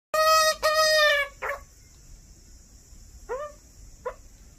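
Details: An Australian magpie fledgling begs while being fed by its mother, with two drawn-out, nasal, rasping squawks, then shorter down-slurred cries, over a steady high insect hum.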